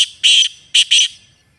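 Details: Black francolin calling in a natural recording, three loud, rasping bursts, the first long and the last two close together, each ending abruptly, with silence afterward.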